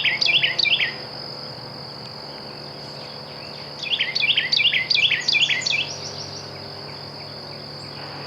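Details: Carolina Wren at Blue Hole, Wimberley, on a morning with birds singing, gives loud, rolling phrases of repeated two-note whistles. There is one burst at the start and another about four seconds later, over a steady high insect drone.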